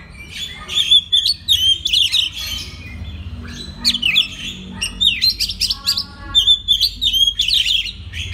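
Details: Oriental magpie-robin singing as a training master for other magpie-robins: varied high whistles, quick upslurred chirps and buzzy notes in repeated energetic phrases.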